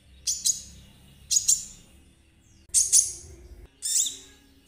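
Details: Konin trotol song used as a lure for ninja sunbirds: four spaced bursts of hissy, high buzzing notes over a low background hum.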